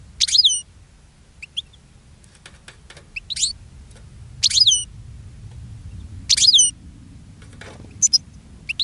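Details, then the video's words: European goldfinch singing in a cage and attracting other goldfinches: short bursts of high, sharp, twittering notes every second or two, with a low background hum. "GOLDFINCH SINGING in a Cage and Attracting Other Goldfinches"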